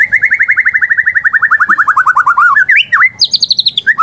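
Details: White-rumped shama (murai batu) lure song: a long fast trill of evenly repeated notes that slowly drops in pitch, then a few twisting whistles and a higher quick trill.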